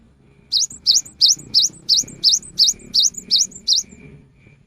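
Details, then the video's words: Afternoon cinereous tit song, said to get other tits singing: eleven evenly spaced, high, ringing two-part notes, each dipping then rising, delivered at a steady, fast pace. "Kicau gelatik batu di sore hari ini bisa memancing gelatik lain untuk ikut berkicau"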